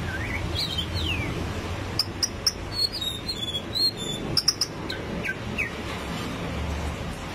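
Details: Song of a white-rumped shama, 'rít thuốc lào' style, heard against steady background noise: short slurred whistles early, then a string of clipped high sharp notes and a few downslurred whistles.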